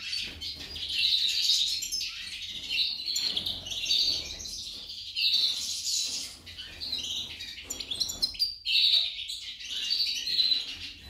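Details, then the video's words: A goldfinch, a female compared to a hummingbird, sings a rapid, continuous stream of high, tinkling twitters and liquid trills, with short pauses between bursts. "Impresionante la jilguera parese un colibri"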